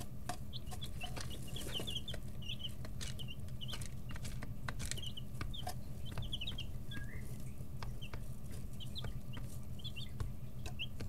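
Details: Brooder chicks aged 11-13 days, busy pecking and stretching; bursts of high, short cheeping notes from several birds come in clusters throughout, over a constant low mechanical hum and scattered pecking clicks.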